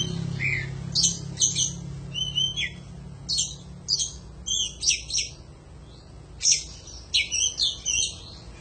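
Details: Lively Oriental magpie-robin singing heavily, recorded to train other songbirds: rapid clusters of bright high whistles and sharp chattering notes in bursts about every second, with a faint low hum beneath.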